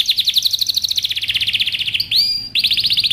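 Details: Male canary in breeding excitement, pushing a female to adopt mating posture, delivers a long even high trill that slows slightly, a clear rising whistle, then resumes a brisk chirping trill.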